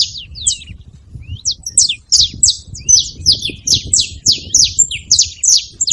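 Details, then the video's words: Sharp descending chip notes from a saffron finch pour out steadily, roughly three each second, high and bright, with quieter faint notes between and a soft low hum underneath. "Canário da terra fazendo barulho"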